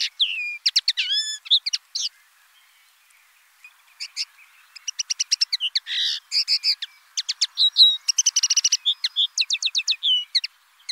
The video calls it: BIRDS VOICE : The common linnet Bird